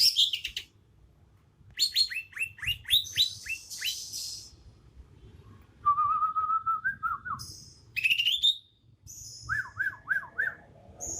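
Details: Young Bornean leafbird from Kalimantan, moulting toward adult plumage, giving its natural song with no learned imitations: buzzy descending notes, then a steady whistled phrase, a rising trill and a series of looping whistles.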